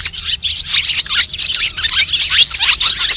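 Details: White-bellied swallows giving a flock call used as a lure for net and glue trapping: a dense, continuous twittering of many high, sharp chirps and short chattering notes overlapping without pause.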